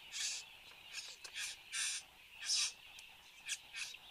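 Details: Satin bowerbird at its bower in Australia, recorded by a fixed camera at 8:02 in the morning on 10 January 2015; harsh, buzzy bursts repeat roughly every half to three-quarters of a second over a steady insect hiss.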